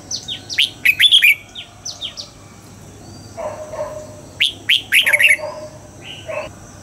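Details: Red-whiskered bulbul in training for dawn song, pushed toward the double-note, wild-forest singing style. Bright, chirpy phrases of quick high rising and falling notes come in two bursts. Lower, softer warbled notes sit between them over a faint steady hum.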